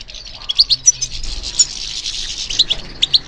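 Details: European goldfinch responding to stimulation: a blurred, buzzy high twitter runs through the clip, and a few brighter clear notes stand out. A soft low hum is heard early on.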